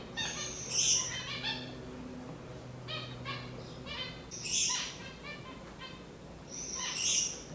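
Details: Gouldian finches giving short buzzy, stacked notes in small clusters, with a few thin high whistles breaking in now and then over a low steady hum.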